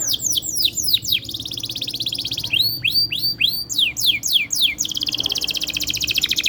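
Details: Lively canary song played to prompt other canaries to sing; sequences of high downward-sweeping notes alternate with fast buzzy trills, with a faint low hum underneath.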